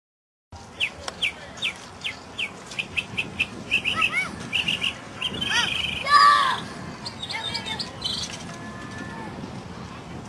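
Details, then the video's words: Mockingbird (sinsonte) singing, recorded in 2006: quick series of short high notes repeated in groups, then varied warbled and slurred phrases, with a brief louder burst of mixed sound midway over a steady background hiss. "SINGING BIRD"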